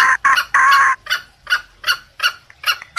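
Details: Junglefowl lure call: two loud harsh bursts, then evenly spaced softer clucks about every third of a second, fading slightly.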